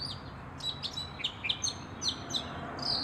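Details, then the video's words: A Northern Mockingbird sings a quick run of varied high chirps and sharp down-slurred notes, about one a second, over faint low background rumble. "Mockingbird singing song / sounds"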